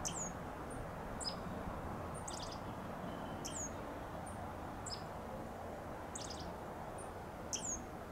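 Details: A dark-eyed junco in a blooming bougainvillea vine gives thin, high, downslurred chips about once a second, sometimes in quick doubled bursts, over a steady low rumble of background noise.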